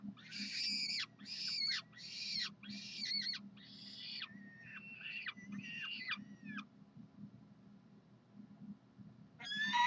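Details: Peregrine falcons at the University of Calgary calling for food on a Saturday morning, 9 June 2012: a run of about eight harsh, grating, harmonic-rich cries, each under a second, in quick succession, then a pause and another cry starting.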